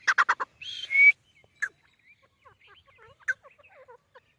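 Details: Grey francolin, called white teetar: four rapid harsh clucks, then a buzzy whistle ending in a sharp rising note, followed by soft scattered chirps.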